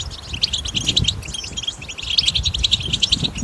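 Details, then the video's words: Clear betbeta song of a wild European goldfinch, recorded in nature to stimulate goldfinches to sing: a bright, rapid, tinkling twitter of high notes delivered without pause, with faint low background noise. "أقوى بتبتةحسون لن يسكت"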